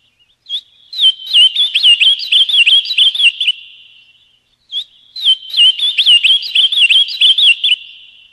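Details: Ultramarine grosbeak, paraná song style: two phrases, each opening with a drawn-out whistle and then a quick chain of bouncing notes, each trailing off into a fading tail before silence.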